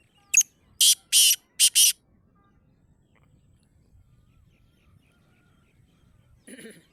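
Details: Black francolin calling: a quick series of five harsh, grating, noise-like notes in under two seconds, the last notes longest, followed by near silence with faint low rumble and a brief softer sound at the end.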